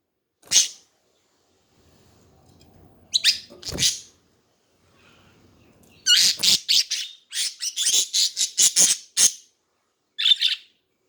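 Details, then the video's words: Budgies chattering, scattered sharp chirps at first, then a dense run of rapid scratchy squawks and warbles lasting about three seconds, ending with one more short call. "Hours of chatting budgies to relax study and chill HD budgie birds"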